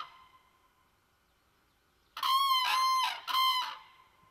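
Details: Common crane on its nest with eggs near a little pond, chicks about: a fading note, near silence, then a sudden loud, resonant two-part trumpeting burst with a rolling, rattling quality.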